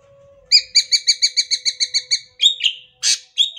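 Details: Yellow-headed Sumatran leafbird from Sumatra in vigorous song: a fast even series of about eleven short repeated notes, then slurred whistled notes and a rough buzzy burst, on a quiet background.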